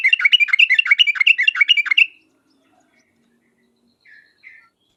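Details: Yellow-vented bulbul (trucuk) singing its sharp 'uplik uplik tarong ropel' style, used as a lure to make other bulbuls answer; about two seconds of rapid chattering whistled notes, then quiet with two faint distant notes.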